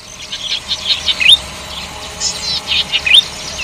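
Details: Golden-headed cisticola giving a melodious song: short, bright chirps and quick rising whistled notes high in pitch, in two clustered bursts about two seconds apart, with a faint steady insect hum behind.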